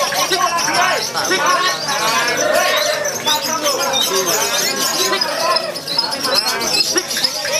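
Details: Lovebird competing at a bird-song contest gives a long, unbroken run of rapid, shrill chattering notes ('ngekek'), with other birds calling over it and a crowd murmuring in the background.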